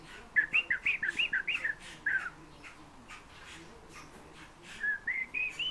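A fieldfare gives a quick run of squeaky, slurred whistles, then a pause and a few rising whistled notes, over faint background noise.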